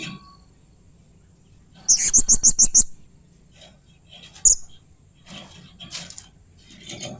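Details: Blue-crowned hanging parrot making strange, fierce sounds while in 'main singa' mode: a quick run of about six sharp, high ticking chirps, then scattered faint squeaks against low background noise.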